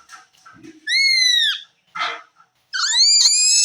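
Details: Hand-tamed ring-necked parakeet kept indoors with kids, giving loud, ringing, drawn-out shrieks. The first falls gently at its end, a short noisy burst follows, and then a long, rising, piercing call.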